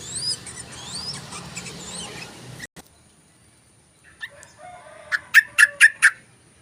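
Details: Yellow-vented bulbul lure call: thin rising whistles from another bird come first, then a short silence, then a rapid run of four loud, clipped 'cruk' notes.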